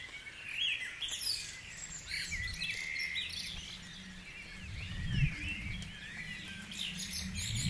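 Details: Guisborough at daybreak: a busy mix of birdsong, with thin high chirps, rapid trills and rising whistles from several singers, and a low background rumble that swells near the middle.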